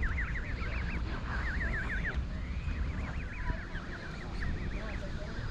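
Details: Goslings at York Castle car park give clustered, high looping peeps in quick runs, broken by brief gaps, over a constant low drone.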